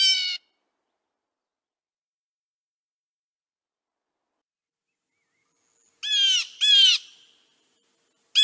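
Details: Common Kentucky backyard bird: Blue Jay calls, four harsh, nasal jay notes of about a third of a second each. One opens the clip, then a long silence, then a quick pair and a final note.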